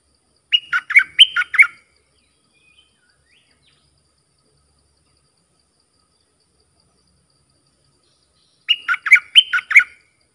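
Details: Red-whiskered bulbul song used to train young hand-fed birds and lure wild birds, with sap dok, double and rik song styles: two bright, warbling bursts of about five quick notes each, separated by several seconds of silence.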